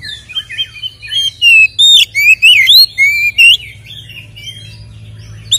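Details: White-rumped shama fighting song, used as a lure to make caged shamas aggressive: a run of clear, loud whistles, each sliding up or down, delivered in quick succession, with softer twittering before and after.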